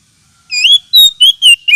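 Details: Oriental magpie-robin lure call, used for luring and as therapy for magpie-robins lacking aggression: after brief silence, a run of loud, high, clear whistled notes, sliding and wavering, in five quick bursts.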